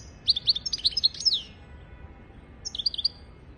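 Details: European goldfinch singing, recorded to teach goldfinches and canaries their song: a fast tinkling phrase of high twittering notes ending in a downslurred trill, a pause, then a shorter burst of four liquid chirps.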